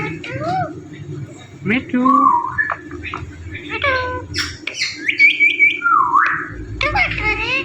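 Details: Talking pet Indian ringneck parrot producing a jumble of squeaky, voice-like mimicked syllables, gliding whistles and sharp chirps in quick succession over a steady low hum.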